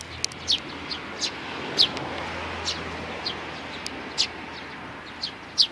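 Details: Sparrow nestlings, three chicks, recorded 12 May 2019. Thin, downward-sliding chirps come in scattered bursts, some louder and piercing, against constant low rumble and faint background noise.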